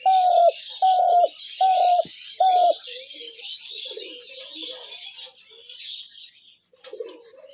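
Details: Spotted dove coos, a recording meant to lure doves into traps: four short, even, low hooting notes evenly spaced about every 0.8 seconds, followed by softer broken cooing and steady chirping of other birds.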